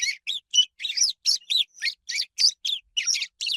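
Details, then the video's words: Swallow twittering: a quick series of bright, buzzy chirps, roughly four each second. Some notes are rough and scratchy, others clearer and down-slurred. No other sounds stand out. "SOM DE ANDORINHA"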